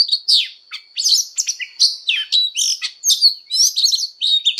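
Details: Fighting song from an Oriental magpie-robin in voice training, mixing harsh buzzy bursts and clear slurred whistles in rapid, vigorous sequence.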